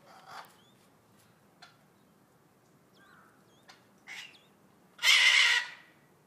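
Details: Captive vulturine guineafowl at a zoo park in Kawasaki City, Japan: a few faint short notes, then one loud, harsh, rasping burst lasting about half a second near the end, with thin whistled notes from other birds in a quiet background.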